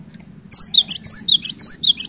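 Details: Cinereous tit in lively song, meant to coax a quiet bird into singing: sharp, high, rhythmic two-note whistles repeated quickly, around seven phrases in one and a half seconds, over a low background hum.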